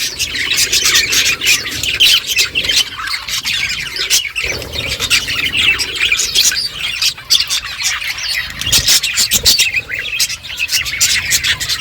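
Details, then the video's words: Budgies munch seed and chatter nonstop, producing layered scratchy chirps, squeaks and squawks with brief clicking pauses. "Beautiful budgies colour eating and chirping sounds"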